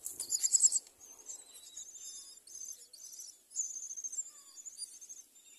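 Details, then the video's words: Myna chicks at the nest begging as adults bring food; a loud burst of harsh, rasping, high-pitched calls in the first second, then quieter scratchy squeaks repeated in short bouts. "Birds bring food to feed babies at myna nest"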